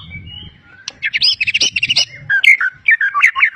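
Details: Vigorously singing champion white-rumped shama from Medan, its song packed with mimicry of other species: a soft whistle, then a quick burst of sharp rattling notes followed by bright, varied warbled phrases.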